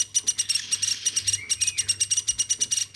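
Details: Indoors, a hand-raised woodpecker chatters continuously: a brisk series of sharp, high-pitched pulses, around seven per second, with a soft gliding tone and a low background hum.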